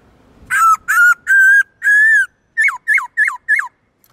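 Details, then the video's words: Black-throated laughingthrush in forest-style song: four sustained clear whistles, each rising slightly, then a rapid run of four short notes that fall downward. "Khướu bạc má hót nhiều giọng kích bổi cực nhạy/Luyện khướu bạc má hót giọng rừng cực chuẩn"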